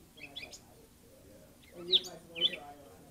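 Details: A Chipping Sparrow at a garden bird bath on May 19, 2024 gives a few sharp, high chip notes, spaced irregularly about half a second apart, over low murmuring voices.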